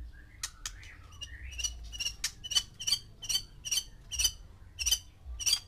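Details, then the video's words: White-rumped shama, a caged male with six females, stirring them to mate: a string of short harsh buzzy notes repeated about every third of a second after a few brief whistles, over a low hum. "MANCING BIRAHI 6 MURAI BATU BETINA DENGAN 1 JANTAN"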